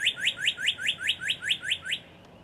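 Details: Northern Cardinal by Kentucky's Beargrass Creek, giving a bright series of about ten upward-slurred whistled notes at a steady, quick pace. The series stops abruptly, leaving quiet background.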